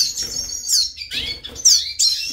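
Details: An orphaned young captive Venezuelan tarim, poorly fed by a foster female, begs in quick bursts of thin, high chirps at its keeper, whom it treats as its mother and expects food from.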